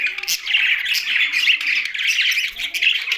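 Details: Budgies housed alongside a parrot in Larkana, Sindh, giving a steady stream of overlapping chirps and warbles, with sharp squawky notes mixed into the bright, busy chatter.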